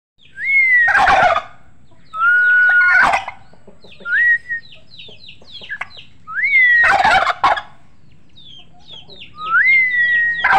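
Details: Turkeys gobbling: loud, rattling bursts roughly every two to three seconds, each preceded by a clear rising whistled note, with small chirps between and a low rumble underneath.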